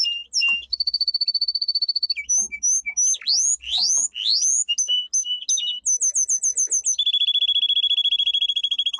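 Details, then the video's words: Powerful training song of a domestic canary, a pet songbird: steady high trills alternate with rising whistled sweeps and clipped chirps, ending in a long even rattling trill at two pitches, loud and clear throughout. "Canary singing - 2 Canary 's most powerful song for training"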